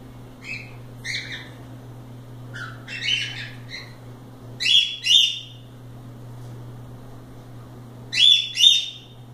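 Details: Free-flying pet cockatiels playing indoors utter scattered short chirps, then loud rasping double squawks repeated twice several seconds apart, with a constant low hum underneath.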